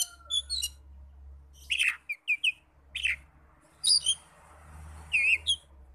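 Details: Song of the Oriental magpie-robin, played to stir other magpie-robins to answer: scattered sharp high notes, short clipped whistles and rising twisted phrases in uneven bursts, with a low background hum throughout.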